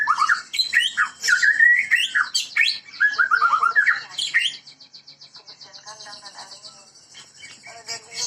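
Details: White-rumped shama, Medan type, from a breeding setting, in full gacor song: loud varied whistled phrases with swoops and trills for four seconds, then a softer buzzy rattling sequence.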